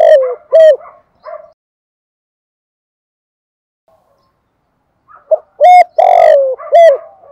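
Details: Dove decoy sound: short coos open the recording, followed by about three and a half seconds of silence, then a loud phrase of brief notes, a long downward-sliding coo and a closing coo.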